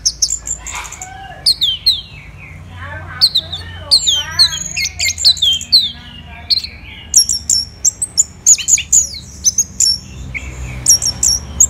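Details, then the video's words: Song of an orange-headed thrush from Bali, Indonesia: thin high whistles, rising and falling slurred notes in the middle, then a fast series of sharp repeated chirps toward the end, with faint low hum throughout. "ANIS MERAH Gacor"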